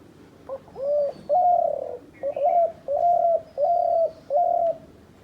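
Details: Low cooing from a dove used as a hunting decoy: a swelling introductory note, then five shorter hollow coos repeated at an even pace.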